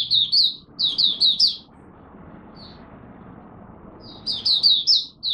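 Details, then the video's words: Malaysian oriental white-eye, a kept songbird, during its first morning warm-up: two quick groups of high, sweet, slurred notes, a single faint note, a long quiet gap, and then another lively phrase. "Malaysian Mata Puteh Buka Sing Poseidon 1st warm up for the day"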